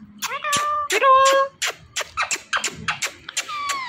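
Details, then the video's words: A talking Indian ringneck parrot speaks in a high, nasal, squeaky voice, rattling off quick speech-like syllables with a few longer drawn-out words. "Talking Indian Ringneck Parrot"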